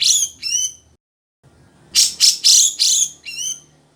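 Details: Grey-cheeked bulbul song: two sliding whistles, a brief silence, then four loud, rough buzzy notes and a closing downward whistle.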